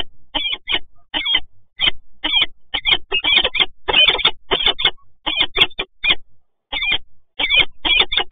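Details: At PGE Toruń in Poland, resident peregrine falcons meet on 26 August 2022, uttering rapid, harsh, chattering notes almost nonstop, with only a few short gaps.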